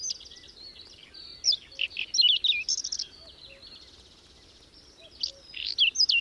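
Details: Through the roar of wind in a May snowstorm in the Berezinsky Biosphere Reserve, a whinchat sings two bursts of high scratchy, wavering warbles with a pause between, and soft low notes from another bird.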